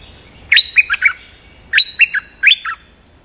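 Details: Stripe-throated bulbul, a lure recording used to call in a territorial resident bird, giving three bursts of bright, bubbly chirping notes, each a quick run of four or five warbled syllables, over a faint steady high hiss.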